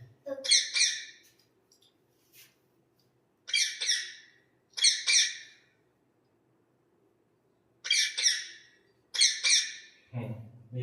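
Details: Parrot voice played to children in a bird-sound quiz: harsh, raspy squawks, often in close pairs, in bursts every few seconds, ending with a low hum and a voice.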